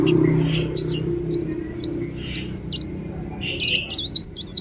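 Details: Ruby-cheeked sunbird singing busily, a lure track: a fast chain of wavering high squeaky phrases, a short break, then more sharp chips and twisting notes, with a faint low hum underneath.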